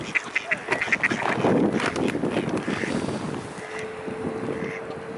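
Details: Mute swan, Cygnus olor, calling: a quick run of short, nasal, quacking notes at the start, then softer hoarse sounds over a noisy background with a steady low hum.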